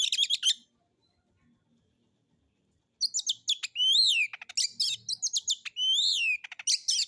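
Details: Harsh lure song of a kacer (Oriental magpie-robin) performing alone: a quick rattle, three seconds of silence, then a fast varied run of chips, downslurred whistles and buzzy bursts, about four notes per second.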